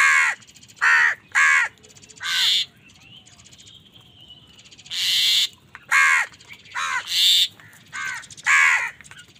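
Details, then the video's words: Crows calling angrily as they fight other wild birds for food: about ten harsh caws, some noticeably higher and shriller, come in clusters. A thin rising whistle sounds during a pause. "Angry kawa ki awaaz"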